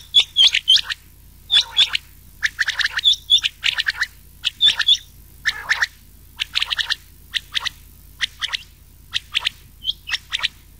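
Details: High, clipped, metallic notes from rain quail mixed with old quail, for summer night hunting. Short clusters of two or three notes come again and again at an uneven pace over a quiet background.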